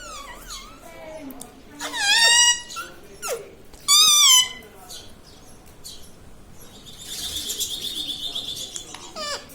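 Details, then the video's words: Talking pet parrot at home, coaxed to say "radhe radhe" and "mummy papa". Two loud nasal, word-like phrases are mimicked, followed by quieter chatter and a hissing background noise. "bolta parrot"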